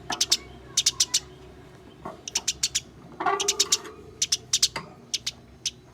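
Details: Harsh chirps from house sparrows in a fight, delivered in tight groups of three or four with a grating lower note mixed in, almost continuous.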